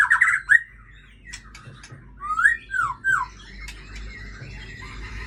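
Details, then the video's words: Breeding female white-rumped shama of the Aceh type: a loud opening whistle, a pause with soft scratchy notes, then three rising and falling whistled swoops, followed by quieter twittering. "Murai Aceh"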